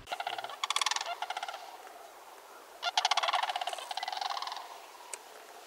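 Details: Sandhill crane giving two loud, rolling, rattled bugling bursts, each about one and a half seconds long, with a short quiet gap between them.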